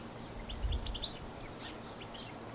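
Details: European goldfinch in New Zealand, where it was introduced, giving a quick run of bright, tinkling twitters and chirps over about two seconds, fairly faint above a steady low rumble of background noise.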